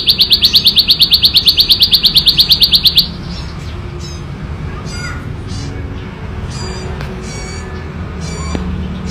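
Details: Ngebren song of a wild bar-winged prinia, loud and clear: three seconds of rapid, regular high chips, followed by scattered faint calls of other birds against a noisy background.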